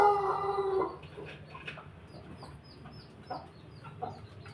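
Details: Chickens of Pelung, Bangkok and Ketawa breeds together: a rooster's loud harmonic crow tails off in the first second, then quiet clucks and high faint chirps of small birds in the background.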